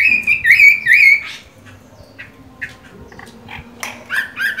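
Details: Chinese hwamei with mung-bean green eyes, moulting: three loud, clear, wavering whistles open, followed by soft scattered chirps and a few brighter notes near the end.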